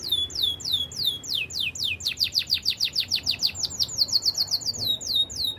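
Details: Belgian canary's training song: loud, sweeping, downward-slurred whistles that speed up into a rapid, even series of chirps, with paired high notes near the end.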